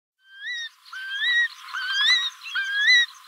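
Curlew giving clear, rising whistled notes, several in quick, overlapping succession about once a second, with a faint rural hiss behind.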